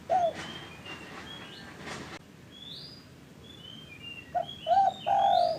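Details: Spotted dove call played to stimulate caged doves that are sluggish or reluctant to call; low cooing notes, one at the start and a rising run of three near the end, over constant background hiss with higher chirps from other birds.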